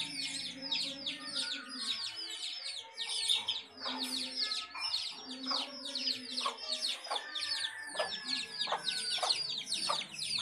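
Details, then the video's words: Domestic house hen with her chicks: a dense chorus of high, thin peeps sliding downward, several per second and overlapping throughout, with a few faint lower sounds from the hen beneath. "House Hen and Chicks"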